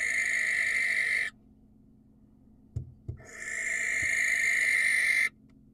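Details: Wild barn owl calling to attract a female: a harsh, hissing screech of about a second, a pause with soft thumps, then a longer rasping screech of about two seconds.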